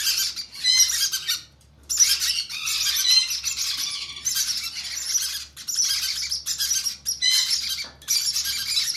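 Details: Conure chicks begging during hand feeding: harsh, raspy, high-pitched squealing bursts, each lasting about a second, separated by brief pauses, with several chicks calling together.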